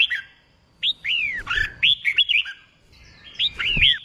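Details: Red-whiskered bulbul song meant to train contest birds: clear slurred whistles, several drooping downward, then a quick run of chirpy notes and a final descending whistle, with short gaps and faint low thumps.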